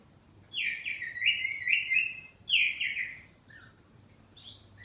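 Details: Home-kept kacer poci oriental magpie-robin singing in the loud ngeplong style, answering back and forth: two bright, sweeping warbled phrases with rich overtones, then softer short chirps and a high note at the end.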